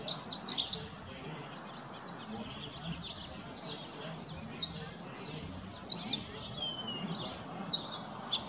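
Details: A flock of roughly 35 cedar waxwings in a very bare tree, several looking for berries; high, wispy whistles run throughout, with short bright slurred chirps popping out every second or so against a low rumble.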